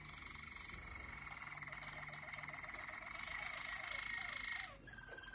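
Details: Waterslager (Malinois) canary in lively song, said to be full of klok notes: a long sustained trilled tone runs for over four seconds above softer bubbling, wavering lower notes, then breaks off into a short separate note.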